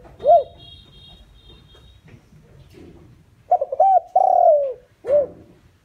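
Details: Decoy spotted dove calling to lure wild doves. An isolated arched coo is followed by a pause, then a full phrase: two clipped notes, a drawn-out falling coo, and a last rounded note. A faint steady tone sounds early on.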